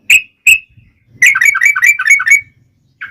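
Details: Yellow-vented bulbul used as a lure to set other bulbuls singing. Two clear rising chirps open the clip. Then comes a fast tumbling run of liquid, warbled notes, and one last short note.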